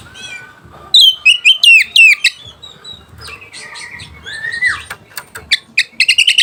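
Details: White-rumped shama song to provoke rivals and arouse mating: a burst of varied whistles and slurred notes, a quieter stretch with a long descending whistle, then a fast series of sharp clicking notes.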